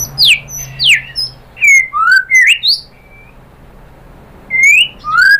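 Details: White-rumped shama, its song used as a provoking lure for other birds: separated sharp downslurred and upswept whistles, some squawky, with a soft steady hum and a quiet gap midway.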